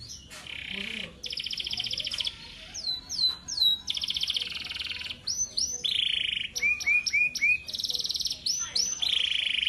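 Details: Prize-winning male canary singing steadily: long buzzy rattling trills alternate with bright upward-curving whistles and quick clipped chips. Each phrase lasts roughly a second before the bird switches to a new pattern.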